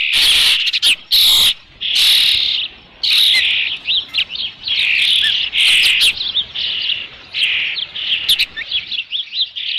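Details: Osprey on the nest with a fish, Dunrovin Ranch, June 3, 2018, late afternoon: a rapid run of shrill, piercing chirps and squeals, loud at first, then fragmenting into shorter, choppy notes.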